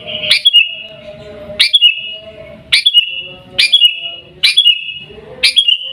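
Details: Garuda-style song of a sooty-headed bulbul from Pidie, Aceh, Indonesia: six clear whistled phrases, each starting with a quick upward flick and trailing into a steady ringing tone, spaced about one second apart.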